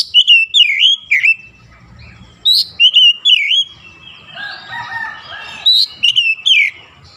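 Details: Oriental magpie-robin singing in morning sunlight: repeated swooping whistled notes in short groups, with a lower harsh chattering call from another bird in the middle.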